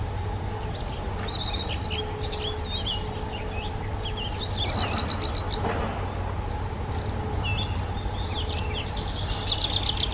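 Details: Black redstart (Phoenicurus ochruros) song: a scratchy crackling burst midway and another at the end, with scattered high thin chirps around it over a steady low engine-like hum.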